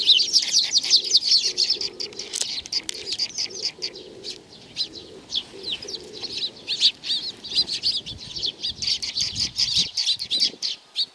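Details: A flock of sparrows coming to be fed at Tenmangu, Nakanoshima, June 7 2020, keeps up a rapid, ragged chatter of high tweets, with wing flutters and faint pigeon cooing in the background.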